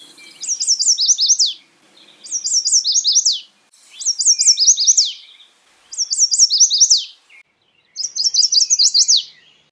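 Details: Chestnut-sided warbler song, five bright high-pitched phrases of quick doubled notes that finish with an emphatic falling note, each phrase near 1.5 seconds long with short pauses between, in a quiet setting.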